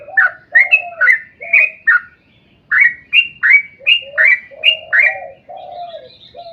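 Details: Sooty-headed bulbul singing a long rolling song used as a lure so other bulbuls start singing; quick bubbly whistled phrases follow one another rapidly, a brief pause midway, with low sliding whistles beneath and a thin high tone near the end.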